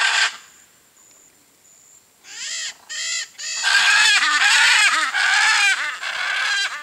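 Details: Wild blue-and-yellow macaw blending into Cerrado vegetation in Brazil, letting out loud raucous rasping screeches, a few separate calls then a long continuous harsh outburst, over a constant high-pitched insect drone.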